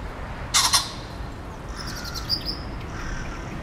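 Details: Perched in a tree at a zoo on 18 November 2020, a common pheasant gives a loud, rasping double crow. Faint high chirps from other birds follow.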